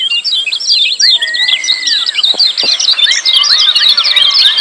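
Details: A busy, loud chorus of lemon-bellied white-eye ciak calls, used to set quiet birds calling. Quick, sharp chirps stream on, with curved whistles in the first half and denser chatter later.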